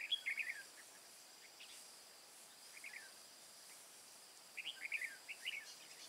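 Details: Red-whiskered bulbul singing as a decoy during trapping in the mountain forest of Hòa Bình, Vietnam, 2/5/2017: short, quick warbled phrases of bright rising and falling notes, a burst at the start and a cluster near the end, over faint steady hiss.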